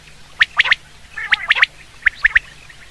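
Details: Common quail call used for hunting: three sharp, high, clipped notes in a fast triplet, given three times with short pauses, then one lone note, over a quiet background.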